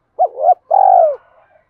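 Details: Spotted dove lure song for provoking wild doves, sung in the two-ending calling style: a looping two-part coo is followed by a long, buzzy, rolling note that falls away at its end.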